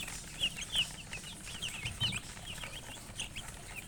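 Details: Chicks peeping in scattered, shrill notes, several clearly louder near the start and middle, with quieter chirps filling the gaps and low background noise.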